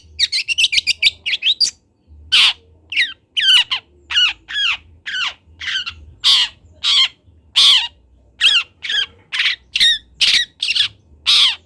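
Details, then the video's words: Juvenile long-tailed shrike, a local Kendal bird practising its song: a fast rattling trill opens, followed by a steady run of rasping, downward-slurred notes about every half second. "MASTERAN CENDET TROTOL BELAJAR BUNYI"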